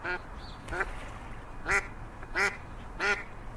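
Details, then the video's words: Duckling in a pond giving five loud, nasal quacks at uneven intervals over a few seconds, each call short and raspy, with a quiet background. "Duck Sound duckling in the pond -duck quack"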